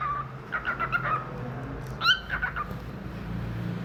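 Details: Pet cockatiel chirping: a string of quick harmonic chirps, a pause, then a sharp rising call followed by a few softer chirps, with a low background hum throughout.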